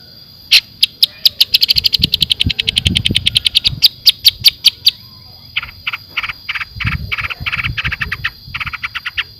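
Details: Javanese long-tailed shrike (cendet) singing: a fast series of sharp, clicking high notes that speeds into a rattling run, then a pause and a second burst of rapid buzzy notes, with low dull knocks underneath.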